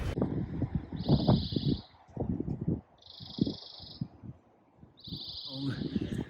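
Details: European greenfinch at a nesting green wall off Fenchurch Street, City of London, in spring, among about 6–13 greenfinches, gives three long, wheezy, high buzzes, each nearly a second long and about two seconds apart, while a man talks over them.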